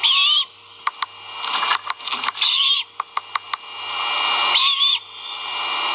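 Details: Nestling great horned owls vocalizing during a feeding at a Skidaway nest on a live camera: short, hoarse screeches about two seconds apart, mixed with sharp clicks and scratchy rustling over a constant hiss.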